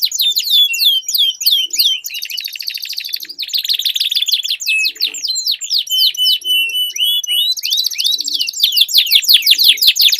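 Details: Canary duel with long rolling song: quick slurred chips, drawn-out buzzy rolls and a series of curved whistles, with soft low clicks scattered through.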